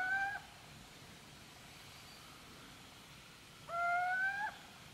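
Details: Little owl recorded in Gmina Podedwórze, Poland, on 2 November 2018: a clipped call at the start, then one clear, drawn-out whistled note that rises slightly over almost a second, over a steady low background hiss.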